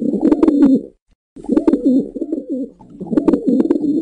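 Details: Low, bubbling coos from a wild pigeon in nature, three phrases separated by a short silence, warbling up and down, with faint sharp clicks and knocks in the background.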